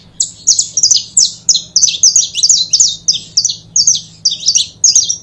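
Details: Two saffron finches, a pair, pour out high, bright chirps in fast regular pulses, roughly three to four notes each second, with a soft low hum behind them.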